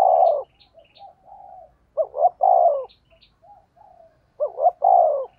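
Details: Spotted dove decoy call in 'thúc gù' style. Loud phrases of a rapid double coo plus a long, low, falling note repeat about every two and a half seconds, with soft murmured coos between them and faint twittering of small birds.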